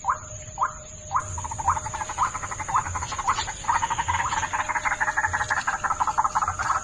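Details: White-breasted waterhen lure call that opens with single croaking notes about every half second, then breaks into a dense, rapid, rattling chatter of harsh pulses, with a constant high electronic tone behind it.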